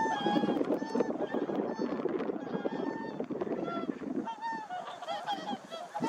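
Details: Whooper swans, described as singing and dancing, trumpet in a noisy chorus of many overlapping bugling honks rising and falling with no pause.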